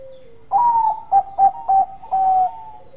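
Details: Bangkok-type zebra dove cooing to draw answering calls from rivals: a long sliding opening note, three short clipped hoots, then a sustained level final note in one full phrase over low background hiss.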